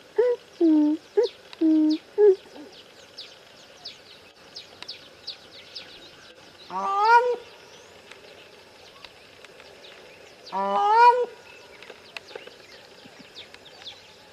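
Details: Wild grey crowned crane making a quick run of low honking notes, then two longer, rising, wavering calls several seconds apart, with faint small bird chirps behind.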